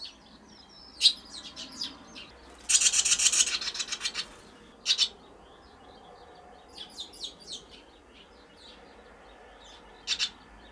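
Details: Barn swallows on 19 April 2023, 22 days after hatching, when the one chick fledged and later returned to sleep in the nest at night. Sharp high chirps, a dense buzzy twittering burst, then scattered short chirps and a final double note.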